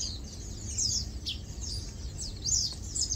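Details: Lowland white-eyes chilling and preening give short, very high twittering notes and downslurred tsee calls in quick succession, low steady noise behind.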